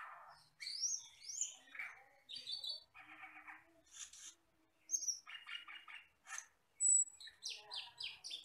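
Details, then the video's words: A forest bird, the Asian glossy starling, used for training songbirds, sings a lively medley of upslurred squeaks, buzzy rattles, clicking chatter and one long steady high whistle. "MASTERAN BURUNG HUTAN CAMPERLING (CUCAK KELING)"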